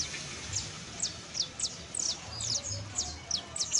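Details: [['Saffron finch song made of bright, sharp descending chips spaced irregularly, a few in quick pairs, with low background hum.']]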